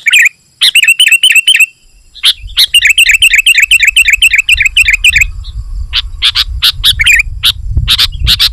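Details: Energetic sooty-headed bulbul song aimed at wild bulbuls: long fast runs of repeated whistled notes, then scattered sharp chirps as a low rumble rises behind.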